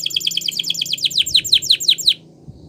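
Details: Gloster canary song for training, a fast series of about twenty downward-sweeping chirps. They start tight and quick, then become louder and more spaced before stopping abruptly, followed by faint background hum.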